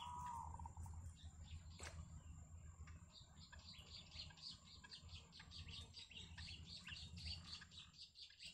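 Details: Yellow bittern family with chicks at a wild nest: a brief mid-pitched whistle opens, then a long run of rapid, very high, thin chirps continues, over a constant low hum.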